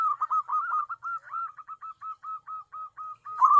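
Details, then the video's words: Tame zebra dove kept for luring wild birds repeats about fifteen short, even coos at a steady pace, ending with a louder rolling phrase. "BURUNG PERKUTUT AMPUH UNTUK PIKAT (PERKUTUT)"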